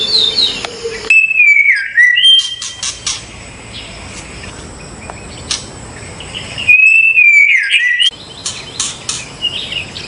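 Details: White-rumped shama singing in the wild: two loud clear whistled phrases, each a level note sliding down into a twisting warble, about five seconds apart, with softer chirps and an insect hum in between.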